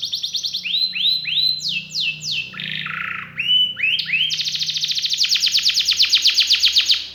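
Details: Canary singing a varied, ornate song: repeated rising whistled notes, a buzzy harsh phrase, then a long rapid trill of fast repeated notes at high pitch.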